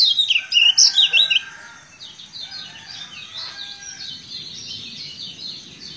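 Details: Lemon-bellied white-eye from Lombok opening with a loud burst of looping, high warbled notes, then continuing in a quieter, fainter run of rapid twitters over a low background hiss.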